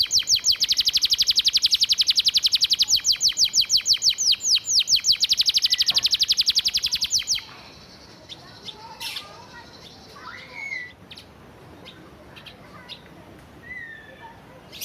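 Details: A canary sings a master training song in the church filler style ('isian gereja'), a loud, rapid, regular trill of high repeated notes lasting about seven seconds, followed by quiet, scattered faint chirps.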